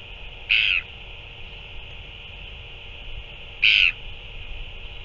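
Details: Two loud, buzzy, harmonic calls about three seconds apart from a Northern royal albatross during a feeding of a chick on 9 February 2024, against a steady high-pitched hiss.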